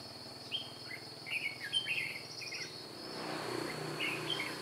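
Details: Red-whiskered bulbul used as a decoy in trapping, 2 July 2018: short warbled, whistled phrases rising and falling, given in quick bursts over a steady high insect drone.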